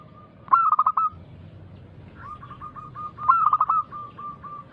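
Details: Local zebra dove with a big, loud voice, singing as a lure to make other doves join in. Two vibrant stuttering coo bursts, each followed by a string of light repeated coo notes.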